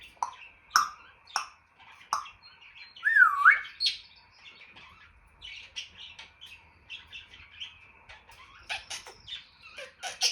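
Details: A pet African grey parrot making a run of sharp clicks, pops, short squeals and a looping whistled note, irregular and rapid, indoors.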